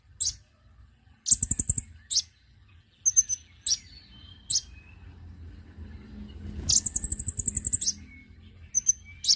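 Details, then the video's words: Konin bird calls played as a lure for attracting birds: high-pitched buzzy trills and scattered thin chirps, two longer rapid ticking bursts, set against a soft low background rumble. "pancingan bunyi burung Konin"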